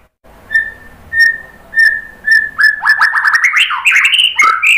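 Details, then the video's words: A White-rumped shama sings to provoke other birds. Four evenly spaced, pure whistled notes about half a second apart lead into a fast, loud cascade of varied rising whistles. "KICAUAN MURAI BATU bikin EMOSI NYAUT BONGKAR MATERI ISIAN ¦ PANCINGAN MURAI"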